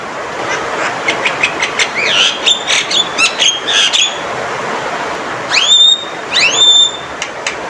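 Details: Male Javan myna calling loudly: a run of short clicks and chattering notes, then two strong upslurred whistles with a bent tail, against constant hissing noise.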